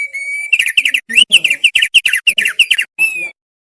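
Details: Thick-billed White-eye (opior paruh tebal): a thin, steady whistle opens into a quick run of about fifteen bright, chattering notes, then ends on a drawn-out falling whistle.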